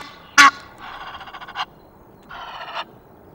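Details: Egyptian geese, noisy, recorded on 5 March at the Loch of the Lowes webcam in Scotland: one sharp loud honk, then two longer rasping, rattling calls with a steady harsh texture, separated by a short pause.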